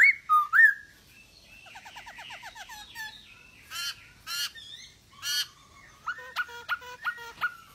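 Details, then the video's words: Masked laughingthrush in full song, used to encourage quiet birds to sing: swooping whistles, soft chattering, harsh abrupt squawks, and a final series of evenly repeated, clipped whistled notes. "POKSAY HONGKONG Anda Malas Bunyi,Pancing Dengan POKSAY HONGKONG Gacor ini"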